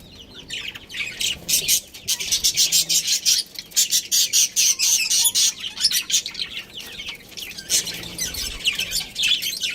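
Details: Budgerigars, a breeding pair, giving loud, rapid, harsh chirps repeated about twice a second in long rhythmic runs, high and scratchy, with a short pause before the chattering resumes.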